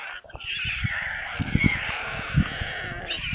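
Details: A brief burst of hungry stork chicks screaming in their nest near Kaluga, central Russia, recorded by a live stream camera: a steady, hoarse, hissing wail over low knocks and thuds.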